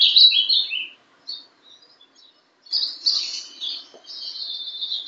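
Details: Ultramarine grosbeak (Passerina brissonii), a young bird, giving Paraná style song: a short burst of sliding whistled notes, a pause with faint notes, then a longer warbling phrase.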